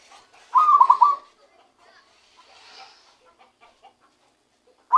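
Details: Recently trapped zebra dove uttering its own song: one bubbling, stuttered coo phrase near the start, faint rustling noises after, and another phrase beginning at the very end.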